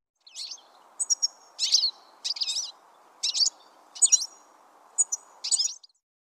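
A finch sings a quick series of high, bright chirps and twitters, about eight bursts in six seconds, over a steady low background hiss.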